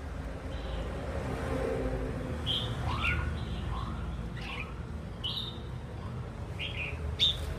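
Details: Wild-caught red-whiskered bulbul urged to sing produces short bright whistled notes and brief warbles at intervals, mixed with a few lower, rising slurred whistles, over steady low background noise.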